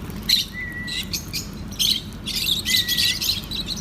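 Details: Soft-food feeding time for lovebirds, who chatter in dense bursts of high, rasping chirps; a clear, flat whistled tone sounds twice between the bursts, with a low background drone throughout.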